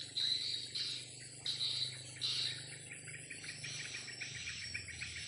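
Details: In the afternoon, swiftlets flying above a swiftlet house give high, rapid chirping twitters in short bursts, then a more continuous buzzy chatter, over a steady high whine and a low hum.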